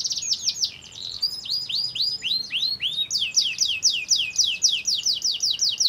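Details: Canary song meant to trigger other canaries to sing, a rapid run of repeated arched whistled notes changing in pitch and speed, about four notes each second, without pause.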